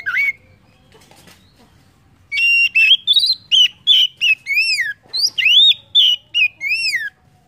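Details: Lure song of an Oriental magpie-robin for prompting birds to sing: one slurred note, a pause, then a sustained sequence of rich, rising and falling whistles, repeated about every third of a second.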